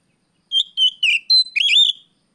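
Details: A short burst of afternoon song from an Oriental magpie-robin, used as a lure to train other birds, in the 'riwik plong' style: five clear whistled notes with buzzy overtones, ending in a longer warbled note, on a silent background.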